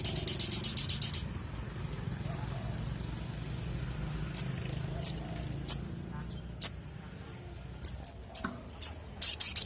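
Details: Sogon bird calling actively: a fast, very high pulsed trill lasting about a second, then sharp isolated high ticks spaced irregularly every half second to a second, ending with a short trill burst, over quiet low rumble.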